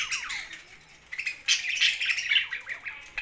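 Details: Budgerigars housed with a parrot chatter in rapid chirps and short squawks, a dense overlapping warble with louder bursts midway through.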